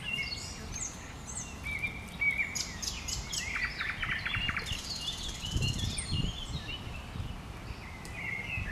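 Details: A common nightingale in bushes pours out a busy stream of varied notes, including a fast series of short repeated units mid-song, with some low thumps and background hiss.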